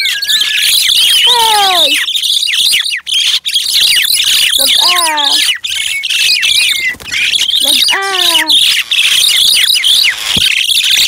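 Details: Happy, talkative pet crested mynas, several birds, roaming on a riverside outing in rural country. Loud continuous chatter with repeated sliding, descending whistled notes in quick runs, plus harsh rasping squawks and brief gaps.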